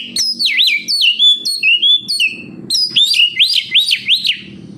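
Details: Kacer (oriental magpie-robin) singing, used as a lure to get other captive kacer singing: loud, clear whistled phrases, each a swooping slur up and down, given in quick series with a short pause midway, then rising upslurred whistles.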